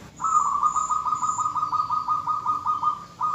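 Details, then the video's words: Female zebra dove calling the male, a sound said to draw males into singing. A long run of rapid, pulsing cooing notes holds a steady mid pitch for about three seconds. Faint, thin, high whistles repeat above it. "perkutut betina memanggil jantan suara PALING BERHASIL memancing perkutut jantan langsung MANGGUNG"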